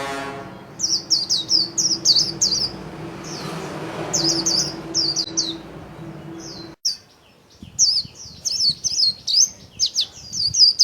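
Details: Japanese white-eye kept as a cage bird, spreading its wings while singing 'líu': repeated bursts of high, rapid twittering notes throughout, with a brief drop in background noise midway before the chatter resumes even more densely.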